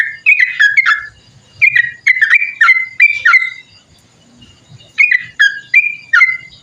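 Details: Long 'ropel panjang' song of the Sooty-headed bulbul, meant as a lure and tutor: crisp whistled notes sliding down in pairs, delivered in lively bursts with a pause of about a second midway.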